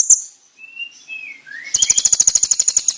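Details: Konin singing a master song for training: a sharp high chip, then soft sliding whistles that rise and fall, followed by a fast, loud, very high-pitched trill of rapidly repeated notes.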